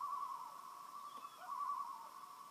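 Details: Loons call on a peaceful lake in Maine: a long, mournful note at one steady pitch, wavering slightly midway, while a faint higher whistle passes briefly.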